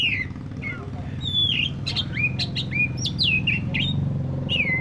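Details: Oriental magpie-robin of the black-breasted form in lively song: rapid whistled notes, many sliding downward, mixed with sharp clicks, over a fairly loud low rumble.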